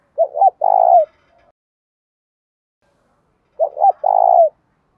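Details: Spotted dove calling to provoke a fight and quickly draw wild rivals to its perch: two short low notes, then a longer mellow coo, the phrase given twice about three seconds apart.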